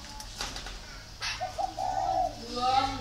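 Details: Spotted dove kept at a dove-raising garden in Ba Vì, northern Vietnam: two quick soft notes lead into one sustained mellow coo in the second half, over a low steady hum.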